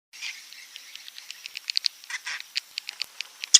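Swiftlet chirps: quick, high, dry twitters and clicks, several per second, loosening into sharper bursts toward the end.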